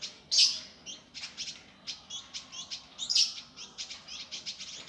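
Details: Indigo Flycatcher singing rough, fast gavor for bird training: loud harsh high bursts open each phrase, followed by steady strings of quick buzzy chips repeated several times a second.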